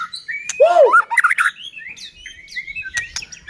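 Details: White-rumped shama song used as a lure to make other shamas sing: a loud arched rasping note, a burst of twisting chirps, then softer scattered high whistles and clicks.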